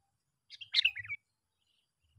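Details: Sooty-headed bulbul call used to attract other bulbuls, given as one brief jumbled phrase of chirpy, warbling notes lasting under a second, followed by quiet.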